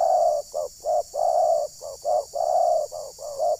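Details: Decoy spotted dove used for luring wild doves in a village at Ujung Batu, Rokan Hulu, calling. Dense string of soft, hollow coos, some clipped and some long, about ten notes in under four seconds, over constant hiss.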